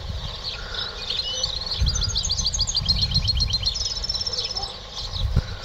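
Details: Caged European goldfinch, trained in the clean 'a limpio' style, its song missing a small 'pirreo' at the head. It gives a rapid run of high twittering, tinkling notes, then a brief drawn-out whistle, over a steady low rumble.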